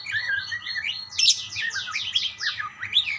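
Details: Budgerigars answering one another with a stream of high warbled chirps, sweeping up and down in quick repeated slurs that grow louder and busier after the first second over a soft background hum.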